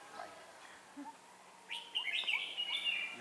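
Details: Red-whiskered bulbul at a trapping session on 4 December 2016, a decoy bird singing to challenge rivals; after a quiet start with faint scattered notes, bright chirpy warbled phrases burst out from the second second onward, over a low steady hum.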